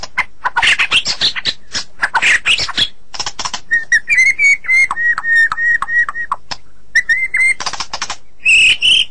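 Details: White-rumped shama song used as a training recording for songbirds: dense varied phrases of harsh buzzy notes, then a run of clear whistled notes repeated about every third of a second, ending in high rising whistles.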